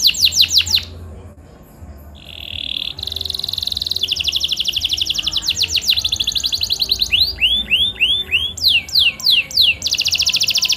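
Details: Kenari (canary) singing to stir silent caged canaries into song: quick downswept notes, a pause, then long rapid rolling trills shifting in pitch, followed by looping upswept whistles, with a faint low hum beneath.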